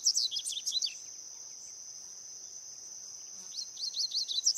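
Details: Wild double-collared seedeater singing: rapid bursts of high, twittering notes for about a second at the start and again near the end, with a steady, shrill insect drone running throughout.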